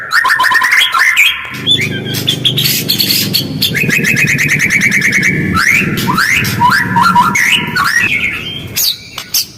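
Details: Fast, harsh white-rumped shama lure song with close pauses, aimed at getting other birds to respond: continuous mix of whistled slurs and chattering notes over a steady low hum.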